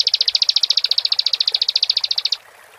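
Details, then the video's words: Bar-winged prinia gacor song used as a provocation lure: a quick series of about thirty clipped, high, buzzy pulses over two seconds, ending abruptly into silence. "Pendongkrak Emosi Ciblek | Ciblek Gacor"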